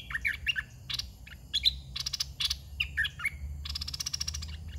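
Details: Red-whiskered bulbul kept as a caged decoy for luring wild birds, delivering brief warbled whistled notes amid repeated loud dry clicking and rattling bursts over a low rumbling background.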